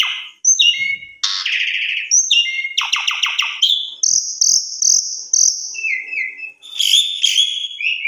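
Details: Javan pied starling song used as a lure to get other birds singing: varied rich phrases mixing rattling trills, harsh buzzy bursts, clear whistles and chattering notes in quick succession.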